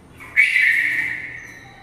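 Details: Inside a house, a red-vented bulbul in flight utters one sharp, squawky call with a strong onset and a lingering, echoing decay; no other clear sounds.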